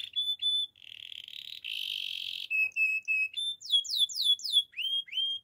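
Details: Gloster canary song for teaching canaries: clean held whistles, a harsh buzzing roll, then rapid trilled pips and a burst of descending sweeps ending in rising swoops, all high and clear.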